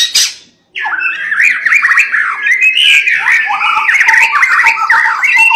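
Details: Dense, nonstop warbling from a White-rumped shama in a persistent song style meant to trigger other shamas to sing, with tangled whistles and twittering phrases running together without pause.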